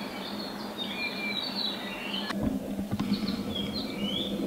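A red bird sings soft, slurred whistles that sweep up and down at a high pitch, over steady background noise, a low hum and a few sharp clicks.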